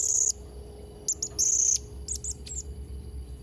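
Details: Blue-crowned hanging parrot in lively song: a long piercing high squeal, then rapid clipped squeaks and a sustained shrill note, followed by a few quick chirps fading out.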